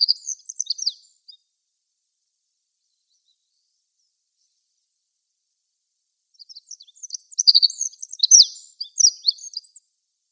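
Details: Wild olive-backed pipit singing from a flowering tree: a rapid high twittering, trilling phrase about one second long, then silence, then a longer, louder burst of sharp sibilant notes and trills lasting over three seconds.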